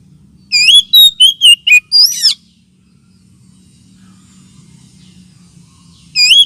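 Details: Lure and therapy sound of an oriental magpie-robin for birds lacking aggression: a rapid run of about seven loud, sharp whistled notes, then a long quiet stretch with low hum and one final phrase.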